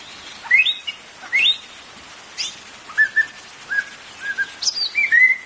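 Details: White-rumped shama song for prompting caged birds to sing; two strong rising whistles, then a string of short flat whistled notes and a final descending slur, over light hiss.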